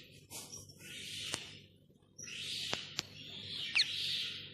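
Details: Boat-billed heron chicks, one newly hatched and one four days old, at Zoo Praha during a routine check, in September. Broad hissing rasps around the upper-middle range come in drawn-out bursts, broken by a few sharp clicks.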